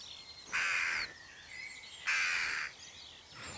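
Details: Jackdaw gives two harsh, rasping scolding alarm calls about a second and a half apart, each half a second long, over faint background hiss; a recording played near a nest box to warn that a person is dangerous.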